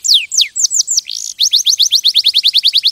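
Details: Canary sings a few loud falling whistles and a brief buzzy note, then an even, rapid string of short downslurred chips repeated about six times a second.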